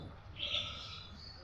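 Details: A talking pet common myna, being coaxed to speak, gives a brief, high, squeaky, voice-like utterance lasting about half a second, over a faint low background hum.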